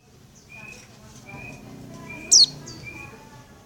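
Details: Female Oriental white-eye calling to the male: one sharp, high, quickly falling chirp near the middle, with faint thin whistles and low background murmur around it.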